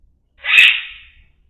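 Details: A green parrot gives one loud, harsh, raspy squawk lasting about half a second, loudest at the start and then trailing off, with quiet surroundings.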